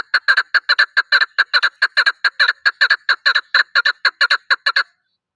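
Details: Chukar partridge (Alectoris chukar) giving a fast run of harsh, clucking chuk notes, some doubled, about two to three per second for five seconds, with no other sounds.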